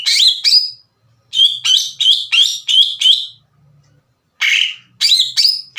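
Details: Greater green leafbird singing hard as a lure to raise other leafbirds' aggression: rapid series of loud, clipped, buzzy notes, about three per second, broken by a silent gap.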